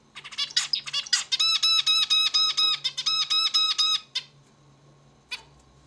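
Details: Zebra finch song indoors, opening with harsh buzzy notes and moving into a rapid train of evenly spaced, nasal harmonic syllables, ending after four seconds with two isolated sharp calls over a low steady hum.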